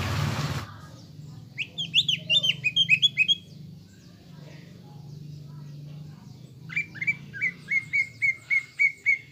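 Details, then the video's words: Greater green leafbird song used as a lure to make caged birds emotional and combative. After a brief noisy burst, a rapid chattering cluster of high twisting notes follows, then a steady train of crisp short whistles, roughly four per second. "PANCINGAN CUCAK IJO GACOR AGAR EMOSI UNTUK MEMBENTUK MENTAL FIGHTER"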